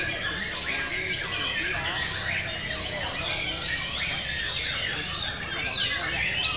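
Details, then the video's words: Caged male white-rumped shama, eleven-time champion of the 2012/2013 season, singing at a song competition on 16 June 2013: loud whistled phrases sweeping up and down, over a dense chorus of other birds and people talking nearby. "Murai Batu OldMan Champion'"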